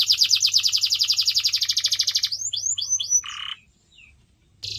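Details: Canary song for pet birds: a loud rapid rolling trill lasting two seconds, a few descending sweeps, a buzzy low note, a pause, then trilling resumes.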